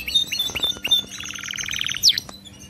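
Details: Canary singing, played to train a pet canary to keep singing: sharp chirps and clicks followed by a quick even trill of rapid notes and a high slurred whistle, all in under three seconds.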